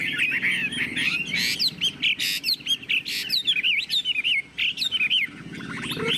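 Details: Tame caged Chinese hwamei singing while its cage is carried, tail fanned, in the high 'ngũ trường' style: loud, rich run of slurred whistled phrases and rapid trills, with brief pauses and short buzzy notes between bursts.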